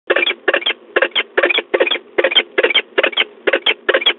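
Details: A peregrine falcon at De Mortel on 2 March 2022 around 07:18, noted as a female (V) and a bird circling in flight. It gives harsh, rasping notes in quick clusters of two or three, about two clusters a second.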